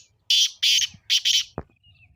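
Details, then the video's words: Black francolin call, played to make a pet partridge call: three harsh, buzzy, grating bursts, the first single and the last two paired, each about a quarter second long, followed by a brief low thump. "تیتر کی مستی بھری آواز - تیتر بلوانے کا بہترین طریقہ"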